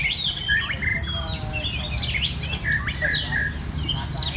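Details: Red-whiskered bulbuls competing at a singing contest in central Vietnam: short, bright whistled notes and slurred chirps overlap from several birds, with a steady low hum and murmur underneath.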